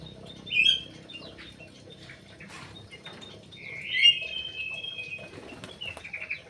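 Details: Crewet kept in an aviary in Indonesia: two brief whistled notes, the first short at about 0.6 seconds, the second longer and level at about 4 seconds, over faint rustling and a quiet background.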